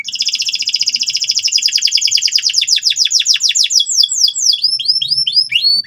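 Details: Canary in full, loud ngeriwik song, aimed at training young learner canaries. A fast rolling trill of descending sweeps continues for four seconds, then breaks into spaced, curved whistles.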